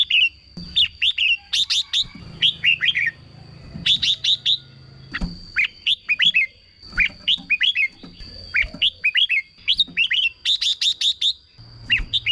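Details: Caged red-whiskered bulbul song, used as a decoy or played to excite other caged birds: bursts of short liquid whistled phrases every second or so, mixed with sharp high clicking notes, over a steady high whine and low rumble.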